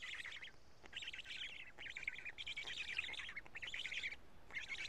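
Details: Karula black stork nest, 31 May 2017 near midday, chicks feeding on two big fish; dense, scratchy pulsed phrases, five bursts with tiny gaps, loud and rasping throughout.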